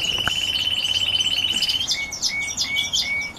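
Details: Red grey wing canaries singing: a fast, even trill held near one pitch for nearly two seconds, then short clear whistled notes repeated at steady intervals, with thin high chirps scattered above.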